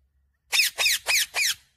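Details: Four loud, grating parrot screeches delivered evenly about every quarter second, with nothing else audible.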